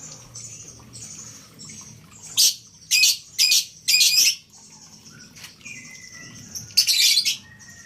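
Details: Collared kingfisher, a caged bird in Malang being kept as prospective breeding stock, calling: four loud, harsh, broadband bursts about half a second apart, then another burst near the end, over a steady high chatter of other birds.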